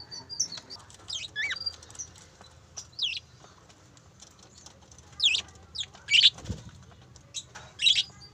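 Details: Two breeding pairs of parakeets give sharp, high chirps and squeaky chatter in irregular bursts, with a soft flutter of wings and a dull knock midway.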